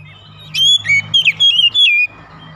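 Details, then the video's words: Morning song of a kacer, the white-rumped shama: a short run of bright whistled notes, rising and falling, lasting about a second and a half, with a low steady hum underneath. "OCEHAN KACER DI PAGI HARI"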